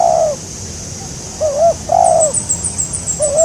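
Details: Spotted dove cooing during a bird-luring session; long falling coo, then a wavering note and another drawn-out coo, with high rapid twittering of small birds in the latter half.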